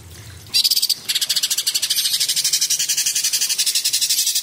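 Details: Cucak cungkok, a small songbird, breaking into a sharp, loud rattle after a quiet start, then a sustained fast buzzing trill with faint chirps woven through.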